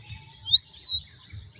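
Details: A pet talking myna whistles when its owner asks it to: two clear, high whistled notes, each sliding upward and about half a second apart, over a faint low room hum.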